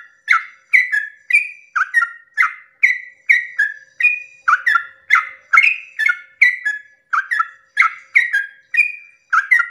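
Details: A sooty-headed bulbul's long 'ropel' song recorded at dawn as a lure for other bulbuls. Nearly ten seconds of unbroken, evenly paced bubbly whistles, short falling and level notes repeating about twice a second, no other sounds.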